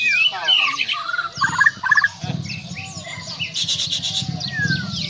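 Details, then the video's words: Murai batu Borneo, the Borneo form of the white-rumped shama, delivering quick, varied whistles and brief rattling notes, with a steady low hum running underneath. "Suara Burung Murai Batu Borneo CODET"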